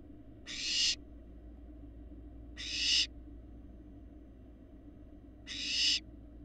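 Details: Barn owl fledglings nearly as large as their parents, on a live Florida nest cam, eggs laid January 2022: three harsh crescendo screeches, the first two close together, the third after a longer gap, steady background hum.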